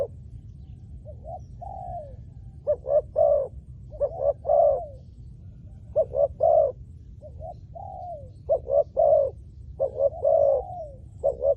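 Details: Soft, hollow coos from a spotted dove used for luring wild doves. Gliding falling notes alternate with clusters of quick double hoots, spread across the recording with steady low rumble behind.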